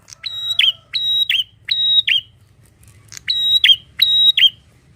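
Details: Bar-winged prinia singing a run of three whistled notes, a pause, then two more. Each note is a held high tone ending in a quick downward flick. A faint lower tone and low hum are also heard.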